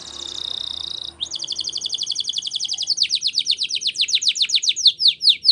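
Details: Spanish Timbrado canary training song, loud and clear: a steady buzzy high tone, then a rapid trill that slows into louder, separate downward-slurred notes, about two per second by the end.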